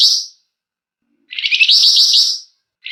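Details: A flamboyan's lure song, gacor with long, dense ngebren and emotional nyecret: the tail of one burst, then a fuller high, buzzy, rattling trill lasting over a second, and another beginning at the end.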